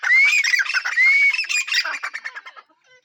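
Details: Grey francolin, known locally as teeter, giving a loud, harsh, squawky call: two strained, ringing notes that rise then fall, then a quick run of rough, clipped notes that fades out after about two and a half seconds.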